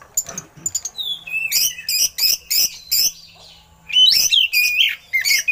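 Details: Caged oriental magpie-robin singing with eagle-call imitations, kept for training other birds: a rising whistle, then rapid bursts of harsh high notes, pausing, then loud strident phrases again; faint talking in the background.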